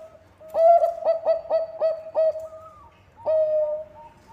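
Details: Bangkok-type zebra dove, a keen singer whose song serves as a lure to get other doves singing: a run of about six short, hollow, low cooing notes, each sliding up then steady, ending in a longer drawn-out coo, then another phrase begins.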